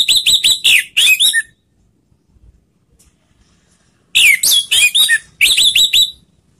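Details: Orange-headed thrush used as a lure so other birds sing: rapid runs of sharp chirping notes with bent whistled tones, two bursts separated by a silent pause of over two seconds.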